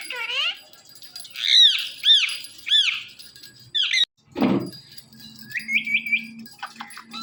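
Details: Indian ringneck parakeet, a kept pet, giving morning calls: a series of arched, squeaky notes repeated about every half second, a brief loud rasp, then a quick trill of three rising chirps.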